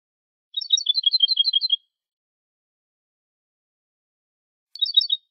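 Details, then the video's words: European goldfinch clean competition song, Málaga 2020: a rapid liquid twittering series of paired high notes lasting over a second, a long silence, then a shorter twittered burst. "Nuevo canto del jilguero"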